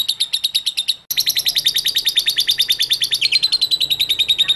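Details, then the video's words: Lovebird ngekek chatter, a recording for luring lovebirds to sing: rapid piercing buzzy pulses, a brief cut after one second, then a dense, slightly wavering trill running on steadily. "INI CARA MEMANCING BURUNG LOVEBIRD, PASTI BUNYI MENDENGAR VIDEO INI.. LOVEBIRD SINGING"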